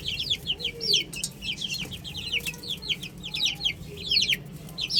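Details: Baby chickens playing on a roof, a crowd of chicks giving high, thin, downward-sliding peeps that overlap in quick, irregular bursts, with a low background hum.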